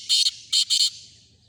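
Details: Black francolin calling: three harsh, rasping bursts within about a second, a longer first note followed by two short grating notes close together, then a faint trailing hiss against quiet rural background.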